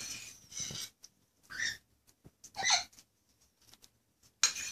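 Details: Young macaw during hand-feeding; a series of short hoarse, breathy squawks separated by pauses, mixed with clicking and handling noises.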